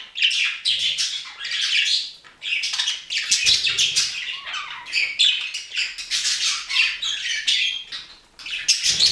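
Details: Budgerigars in passionate affection, giving a continuous dense chattering warble of scratchy, squeaky high notes with brief pauses, loudness rising and falling throughout.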